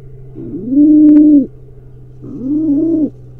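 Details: Two long, soft coos from a wild pigeon trying to breed at a nest camera in Israel, each rising then held as a mellow hum, over a faint electrical drone.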